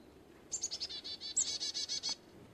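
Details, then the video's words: Carolina chickadee call: a few thin high introductory notes and a brief sharp chip lead into a steady series of about twelve buzzy, rasping 'dee' notes over one and a half seconds, in a quiet setting. "Chickadee call / song / sounds"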